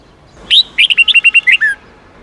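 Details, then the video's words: Song used to teach young red-whiskered bulbuls the 'giọng 8-9-10' wild voice: one crisp phrase with an upslurred opening whistle, a fast string of short even notes, and a drawn-out lower falling ending. "Luyện Chào Mào Hót Giọng 8-9-10 Ép Chim Non Học Giọng Chuẩn Rừng"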